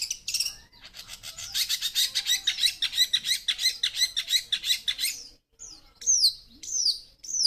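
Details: Young long-tailed shrike noted for many fill-in phrases and fighting spirit: a long, fast, scratchy chattering run of high notes, a short pause, then a few clear sweeping whistles.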